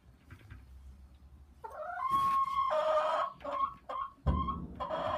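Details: Chicken calling with a series of loud, harsh, tonal squawks and clucks of varying length over a steady low background rumble.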